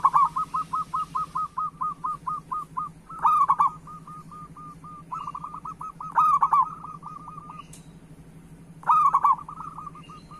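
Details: Local zebra dove song used to stimulate other doves to sing: long runs of rapid, even coo notes broken by louder rolling bursts about every three seconds, with a soft hum behind.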